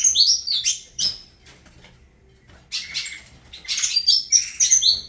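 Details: Saffron finch song by Avalanche: a few high whistled chirps, a quiet gap, then a renewed burst of rapid sharp notes.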